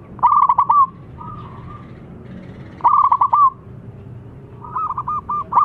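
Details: Zebra dove of a local strain calling to a rival that answers straight away: three bursts of rapid, rolling, stuttered coos, some preceded by a soft drawn-out note, spaced roughly two seconds apart.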